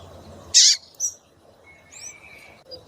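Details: Female double-collared seedeater calling to stimulate a male to sing. One loud, bright, harsh note is followed by a softer short note and a faint, thin downslurred chirp, over low background hiss.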